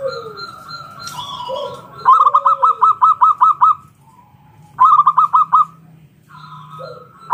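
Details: Zebra dove of local wild stock singing the ngalun kung bulat style meant to coax other doves to sing, giving two rapid runs of seven to eight bubbling coos, separated by quieter whistled and slurred calls from other birds.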